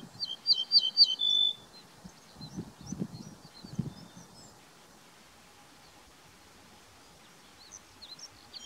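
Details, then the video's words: An Ortolan bunting sings one short phrase of quick, high repeated notes ending in a drawn-out lower note, followed by faint distant chirps and low rustling. "تغريد درسة الشعير bruent ortolan"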